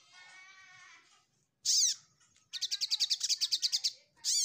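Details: Ruby-cheeked sunbird seeking a rival: a softer, reedy note at the start, then a sharp high chirp, a fast run of about a dozen clipped ticking notes, and a final loud chirp.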